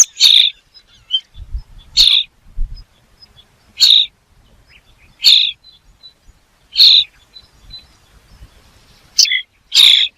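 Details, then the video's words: Seven harsh, screechy bird calls ring out about every one and a half seconds over a quiet background with faint low rumbling. "The sound of a bird"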